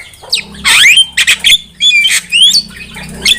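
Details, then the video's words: Javan myna song used to lure birds into traps: loud harsh squawk, then rasping chatter and upward-sliding whistles over a steady low hum. "Pancingan suara burung jalak kebo gacor masteran burung jalak kebo gacor"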